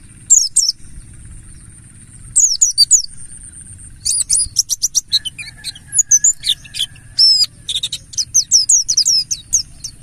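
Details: Wild-style lure song of a mountain white-eye (Buxtoni): two early bursts of shrill chirps, then a rapid run of sharp, high ticking and twittering notes with some sweeping whistles, over a low background hum.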